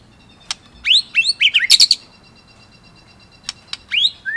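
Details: White-rumped shama (murai batu) in 'ngerol nembak' song: upslurred whistles and a tumbling cluster of notes, then quiet, then a few more rising whistles.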